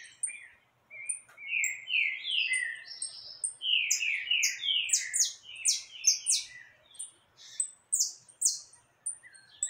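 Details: Saffron finch (canário caboclo) singing energetically near free-flying birds: a long run of bright, buzzy downslurred notes, rapid and irregular, about two or three per second, rising to thin high chips.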